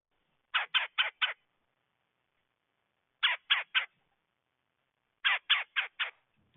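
A Red-bellied woodpecker gives harsh, scratchy notes in quick bursts of three or four, with pauses of about two seconds between bursts. Otherwise quiet.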